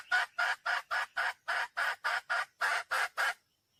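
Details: Wild junglefowl hen calling for a male: a steady run of about a dozen loud, even clucks, roughly four per second, ending abruptly into quiet.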